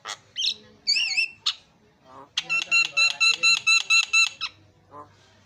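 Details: Javan myna song meant to coax a silent myna into singing: wavering whistles, then a rapid, even series of about a dozen buzzy, harmonic notes, ending abruptly.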